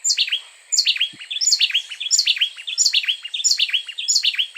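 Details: A pair of Costa Rican wrens alternate notes in an antiphonal duet that sounds like a single singer; one bird is closer to the microphone and louder. After a brief pause, bright high phrases of down-slurred whistles repeat rapidly, roughly twice per second.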